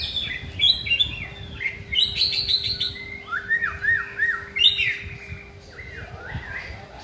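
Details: Caged white-rumped shama (chòe lửa) singing during a training session: a varied run of clear whistled phrases, some rising and falling, others slurred downward, delivered in quick bursts with short pauses and low background rumble.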